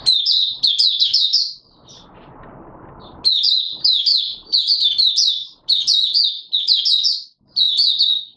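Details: Oriental white-eye, 24 March 2022, delivering clusters of high, sweet, fast chirps in short phrases, pausing once for about a second and a half amid soft rustling before resuming steady repeated bursts.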